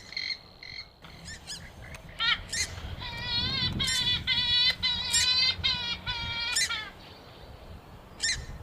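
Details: Hunting lure of a purple swamphen: sharp clicking notes build into a rapid, buzzy series of nasal honks, about three per second, then trail off into scattered calls.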